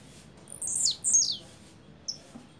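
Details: Blue-black grassquit giving its double song: two quick, high, buzzy notes sliding steeply downward back to back, followed after a pause by a faint short high note; quiet low background hum.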